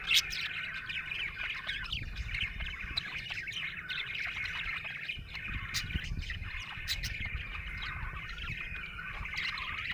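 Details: A happy budgerigar keeps up a long, unbroken chattering warble of chirps, squeaks and clicks for ten seconds, over steady low background rumble.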